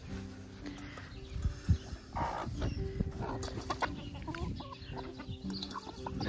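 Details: On a small farm in Ontario, Canada, spring/summer, moulting hens give short, low clucks in scattered bursts while being fed eggshell and chili. A person talking and a steady background hum partly mask the clucks.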